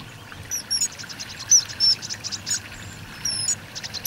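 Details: Common kingfisher by the Donge river gives scattered piercing high whistles and short sharp notes, some rising, others clipped, spread irregularly over four seconds against a soft steady background hum.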